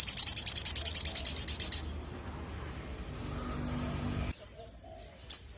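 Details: {'caption': 'Crimson sunbird (sogon), a lively singer, delivers a rapid high trill of evenly spaced sharp notes for almost two seconds. It fades into background murmur, with two isolated thin chips later.'}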